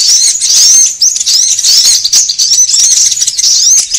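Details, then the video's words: Sunbird lure sound used by bird trappers to draw birds together: a dense, continuous stream of very high, thin twittering with quick squeaky upslurred and downslurred notes, barely pausing, no other sounds. "SUARA PIKAT KOLIBRI AMPUH"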